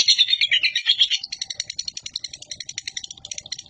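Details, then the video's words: Chatty national-champion lovebird, ngekek used as a lure for pet lovebirds: a loud, harsh burst of rapid chattering for about a second, fading into fainter, sparse high clicks and chirps. "Love Bird Cerewet Ngekek Panjang"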